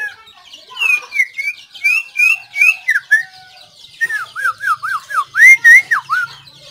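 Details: Clear whistled song of a White-rumped shama, 17 April 2024, with a series of evenly spaced falling notes, a pause, then a faster string of looping whistles and two loud high notes.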